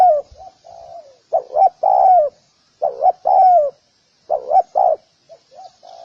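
A spotted dove gives soft, hollow coos in short rolling phrases of two or three notes, repeating every second or so against a quiet background.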